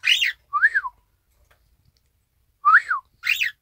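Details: Pet Isabel pearl cockatiel imitating its owner's whistled 'ppoiyo', 1 December 2018: two pairs of clear arched whistles, rising and falling, separated by about two seconds of silence.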